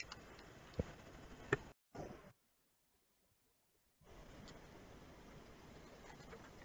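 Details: Faint room hiss with a few soft clicks and a silent gap; no animal voices.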